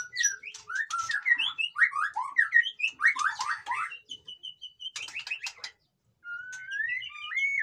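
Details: White-rumped shama song aimed at rousing lazy captive birds: quick burst of rich slurred whistles and chatter, a short level buzzing trill, a pause, then loud looping whistles.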